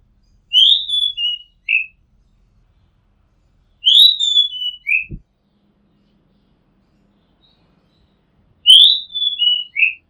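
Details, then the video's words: Rooftop recording of an Oriental magpie-robin repeating the same clear whistled phrase three times, roughly every four seconds, each a bright rising note that slides down through two lower whistles; a faint tap between phrases. "Oriental Magpie Robin Sound Long play | เสียงร้องนกกางเขนบ้าน"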